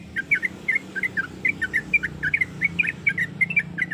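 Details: Sooty-headed bulbul female calling to a male: an unbroken run of quick, sharp chirps, each note slightly rising or falling, repeated several times per second over a steady low hum.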